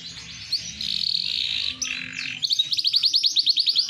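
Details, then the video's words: Big AFS canary of green bon colour sings a sustained rolling warble that breaks into a rapid run of sharp repeated chips near the end. "Kenari Afs Bigsize Gacoorr dorr"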